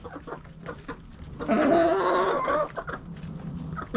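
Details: Backyard chickens: a loud, drawn-out harmonic call lasting about a second, surrounded by short repeated clucks from hens, over a steady low hum.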